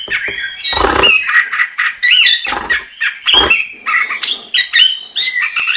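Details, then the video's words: Chestnut-capped thrush singing in the gacor style: short whistled phrases near the same pitch broken by loud, harsh, rasping bursts, with quick chattering notes between them. "Suara Burung Anis Kembang | Gacor"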